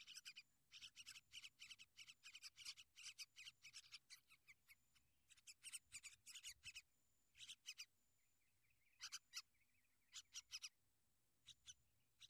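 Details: Sooty-headed bulbul caring for and protecting its young: long volleys of rasping, scratchy chatter. The calls are tightly packed at first, then break into sparser clusters after a short pause. A faint thin whistle is heard near the end.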